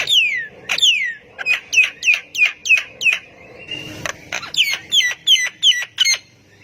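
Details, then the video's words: Energetic Javan myna singing to stir reluctant mynas into replying, opening with two slurred descending whistles, then a quick series of sharp hooked chips, a brief noisy pause and another rapid chip sequence. "JALAK KEBO GACOR BIKIN JALAK MALAS BUNYI IKUTAN NYAUT AUTO RESPON"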